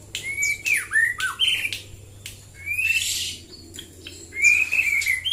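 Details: White-rumped shama in the morning giving varied phrases: clear whistled notes, slurred downward squeaks and bursts of harsh, noisy chatter, with a steady low hum in the background.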